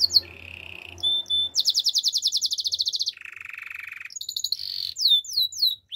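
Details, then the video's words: A male canary sings a varied phrase: a low steady buzzy trill, a high rapid rattling trill, a lower pulsed roll, then sliding whistled sweeps, each section lasting about a second. "Male canary singing with beautiful voice"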